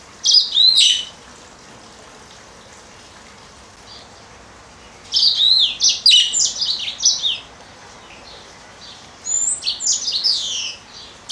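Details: A female yellow-fronted canary (Mozambique serin), kept indoors with a budgie that also chirps in the room, sings three bursts of high, sweet twittering phrases, quick trills and chirps, separated by pauses of a few seconds.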